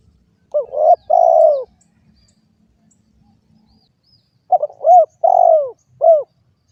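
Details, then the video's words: Mellow cooing from a spotted dove. A rising note and a long falling coo come first, then after a pause a longer phrase of stuttered notes, a drawn-out coo and a short arched final note. "suara burung derkuku"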